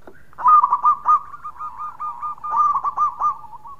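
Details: Local zebra dove singing loudly and often, with other doves joining in: rapid clusters of soft, low coos, loud bursts near the start and again after a pause, ending in a trailing rolled note.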